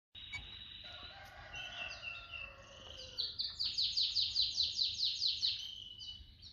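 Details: Canary singing: sustained whistled tones and layered trills, building into a rapid rising-falling roll of bright notes repeated about two and a half times per second, over a faint low background hum.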